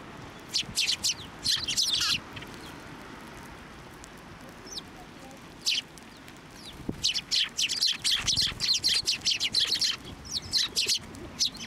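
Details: Sparrows around a feeding hand at a Tenmangu shrine, 18 March 2024: bursts of quick high chirps come in clusters separated by quieter gaps, over faint steady background noise.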